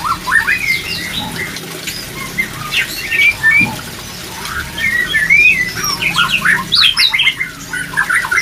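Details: White-rumped shama in full song meant to raise breeding drive: rich varied whistles mixed with fast chattering trills and sharp upswept notes, loud and nearly unbroken throughout.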